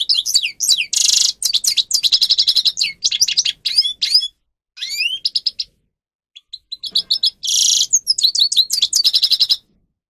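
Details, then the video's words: Captive-training song of a grey-crowned goldfinch: lively chattering twitters and buzzy trilled phrases, a break of about two seconds, then more harsh buzzes and rapid twittering notes. "(Carduelis caniceps) Goldfinch song Best for training"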